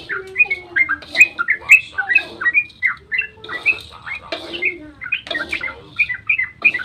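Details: Dawn chatter of yellow-vented bulbul, played as a lure for other bulbuls: lively slurred whistles and rough notes in uneven bursts.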